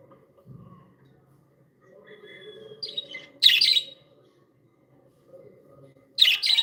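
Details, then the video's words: Happy pet budgies produce soft warbling chatter building to two loud, harsh chirp bursts, with quiet gaps between and faint indoor background hum. "Happy budgies sound"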